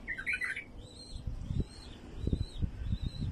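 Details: Wild bulbul song, used to attract wild bulbuls: a quick burst of bubbly chirps, then faint, slurred whistles rising and falling, over a steady low rumble and thumping noise.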